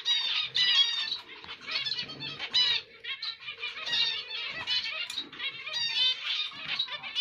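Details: Zebra finch, the emprit Jepang of Indonesia, singing long runs of buzzy, nasal, repeated notes with brief gaps and a faint steady tone underneath.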